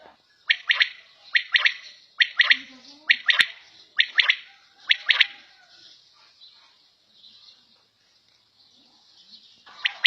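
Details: A quail kept at home gives sharp, high, scratchy notes in quick clusters of two or three, repeated about once a second, then falls mostly quiet with faint rustles.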